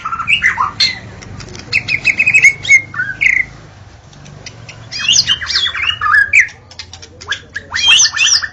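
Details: Dawn song of a white-rumped shama, played to lure shamas: fast squawky chattering and rattling bursts mixed with whistled slides, over a faint low background hum.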